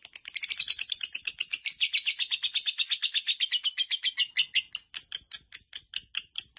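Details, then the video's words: Fighter lovebird in a long chattering song, called ngekek: a rapid, steady train of sharp, high, buzzy chips repeated several times a second, slowing slightly and becoming more evenly spaced toward the end. "Lovebird Fighter durasi hampir 4 menit"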